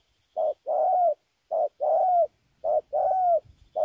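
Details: Spotted dove cooing in Kon Tum, Vietnam: phrases of a brief soft note and then a drawn-out, slightly falling hollow coo, repeated steadily about three times in quick succession.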